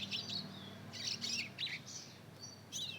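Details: Mozken hybrid of Mozambique canary and domestic canary, two months old, in its first attempts at song. Short bursts of high chirps and thin whistled notes come in quick, irregular clusters separated by tiny pauses.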